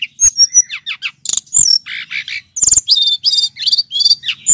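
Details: Male Brown-chested jungle flycatcher from Bali, singing vigorously for lure training: a loud, fast jumble of high whistled notes, sweeping slurs and short buzzy bursts, tumbling one after another with brief gaps.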